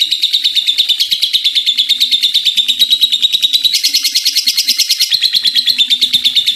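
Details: Long unbroken ngekek chatter from a lively lovebird, steady rapid grating pulses roughly three a second, evenly loud throughout, with a brief brighter burst midway and a soft low hum behind.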